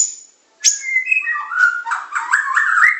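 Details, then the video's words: Training recording of a Medan-type white-rumped shama in pancingan, macet, tembakan and isian styles. A thin high note, a short silence, then loud rolling whistled notes that swell into a dense, rich warble. "Materan burung murai batu medan super-pancingan macet-tembakan-isian"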